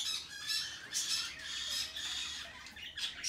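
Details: Hand-tame peach-faced lovebirds on 21 March 2020 produce almost continuous piercing, grating squawks, about a hundred a minute, rising and falling in loudness.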